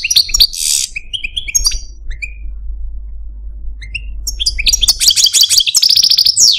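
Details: Caged pet Algerian Parva goldfinch singing scattered whistled and buzzy notes, a quiet pause, then a rapid run of high twittering, trilling phrases.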